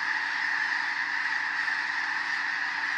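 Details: Huge wintering flock of snow geese in farm fields in Skagit County, Washington, startled by a passing bald eagle and taking flight: a steady roar of high, nasal barking honks blended into one continuous clamor.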